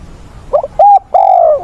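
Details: Spotted dove kept as a decoy bird, calling in a wild-caught bird's voice to train other newly caught doves: a short hoarse note, then a level mellow coo and a long drawn coo that falls at its end.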